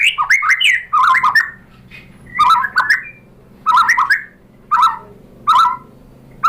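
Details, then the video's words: Provoking lure song of a white-rumped shama, used to draw answering birds: short harsh, chattering bursts of mixed notes repeated about once a second, separated by brief pauses. "pancingan MURAI BATU BIKIN EMOSI NYAUT GACOR BONGKAR MATERI"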